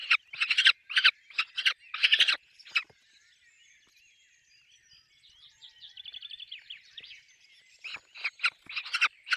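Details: Peregrine falcon at a nest with chicks: bursts of harsh, rapidly pulsed chattering calls, then a quieter stretch of thin, buzzy, pulsed notes, then more harsh bursts toward the end.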